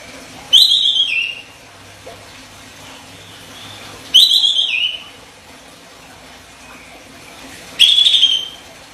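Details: Olive-winged bulbul (kapas tembak) master song for training, sharp tight 'besetan' style: three brief bright whistled phrases, each a quick trill dropping to a lower tail, spaced about three and a half seconds apart over quiet background hiss.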